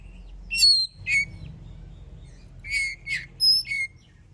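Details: Song of an oriental magpie-robin, played to goad other birds into singing: short bright whistled notes and slurred downward phrases in two bursts, with a pause between, against a soft low hum.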